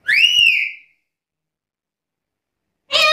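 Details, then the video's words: Black-capped lory calling actively: a loud arching whistle, then silence, then the start of a harsher call with stacked overtones cut off at the end. "Suara burung nuri kepala hitam gacor"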